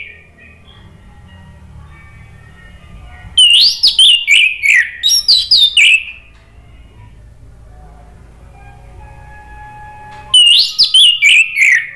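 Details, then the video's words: Male orange-headed thrush in full song, played to spur silent birds into answering: two vigorous bursts of fast, tumbling whistled notes, about three seconds and then two seconds long, separated by a quiet gap with low hum. "ANIS MERAH JANTAN SPONTAN NYAUT ¦ PANCINGAN AM ¦ TERAPI MACET"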